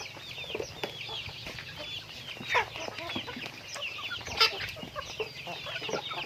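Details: Chickens going about daily activity, chirpy clucks and high chatter from several birds, a few sharp louder notes, over a low steady hum.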